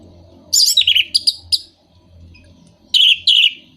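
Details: Orange-headed thrush song meant to stimulate moulting, non-singing birds; two loud bursts of dense, high chattering and whistled notes separated by a quiet gap with low background hum.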